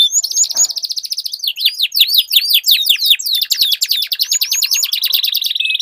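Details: Domestic canaries duelling, two birds singing against each other: fast trills of steeply descending whistled sweeps, buzzy rapid rattles and a steady high whistled roll, all high-pitched and continuous.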